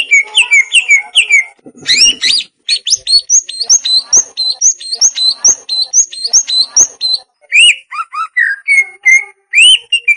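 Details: Greater green leafbird chattering vigorously in ngoceh song: a quick run of crisp, high chirps and upward-flicked notes, densely repeated for about ten seconds, then slower clear whistles near the end.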